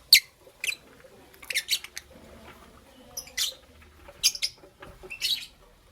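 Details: Captive lovebirds, a green Fischer's and a pastel blue, chirping in the morning indoors: sharp, high, scratchy chirps in short bursts, about eight over six seconds, with quiet pauses and faint rustling between.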